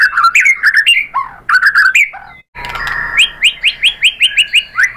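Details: White-rumped shama song played as a lure for other shamas: looping warbled notes in short bursts, a sudden break, then an evenly spaced run of rising chirps.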